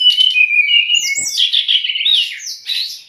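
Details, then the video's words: Lively whistled song of a brown-chested jungle flycatcher, used as tutor and provoking song for untrained or stressed cage birds: looping, rising and falling warbled phrases run almost without a break. "MASTERAN DAN PANCINGAN SRDC"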